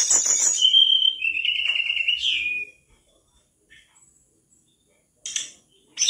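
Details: Spirited song of a caged mangrove whistler: high notes leading into a long, clear, wavering whistle that ends in a rising slur, followed by near silence and two sharp chips.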